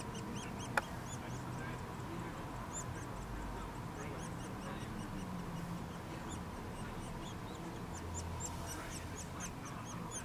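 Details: Nuttall's woodpecker chicks being fed, with scattered high, thin squeaky notes coming in loose bursts through the recording, one sharp click near the start, and constant low rumbling noise.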